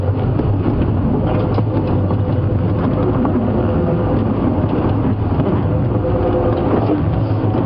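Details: A heavy vehicle engine rumbles and rattles continuously on a safari drive at sunrise, with no animal voice audible.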